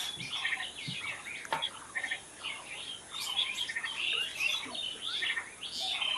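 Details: Wild birds singing together in a natural setting: overlapping high chirps, trills and short whistled notes from several birds at once, with a sharp click near the start and a soft steady background hiss.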